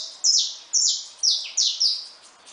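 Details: Saffron finch in a cage with newly hatched chicks, giving loud high notes that each start with a sharp attack and slide downward, five in a row at about half-second intervals.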